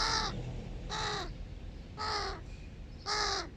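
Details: Large hooded crow chicks begging at breakfast with their family: four harsh, hoarse caws, each about a third of a second long, repeated roughly once a second, with quiet background hiss between them.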